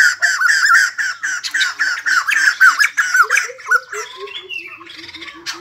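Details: White-crested laughingthrush, kept bird, singing and dancing: loud chattering cackles of slurred syllables that fade into a series of softer, evenly spaced short low whistled notes.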